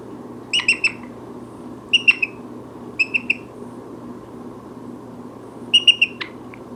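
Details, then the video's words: Chatty pet brown-headed parrot inside a home, uttering short sharp chirps in clusters of two to three, spaced roughly a second apart, ending with a brief clicking note; steady low hum behind. "Brown-headed parrot vocalizations"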